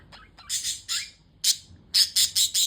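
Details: Harsh, rasping budgerigar squawks in quick succession, ending in a fast run of four loud scratchy notes, over a faint low hum.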